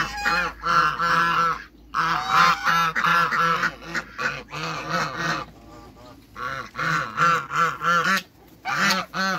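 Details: Domestic African geese on a waterbird farm, meeting other waterbirds: bursts of loud, harsh, nasal honking from several birds, each burst a run of rapid repeated honks, with brief quiet gaps between bursts.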